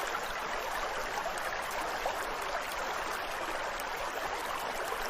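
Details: A steady, even rush of flowing water, like a stream, fills the whole stretch with no distinct animal calls.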